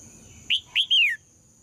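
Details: Red-whiskered bulbul (Pycnonotus jocosus), song: female song to provoke males to sing.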